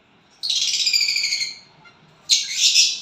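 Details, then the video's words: A violet bird singing after gaining a partner delivers one long, harsh, buzzy, high-pitched call of about a second, a pause, then a second rough, noisy burst. "violet bird singing and chirping sounds when you get a partner."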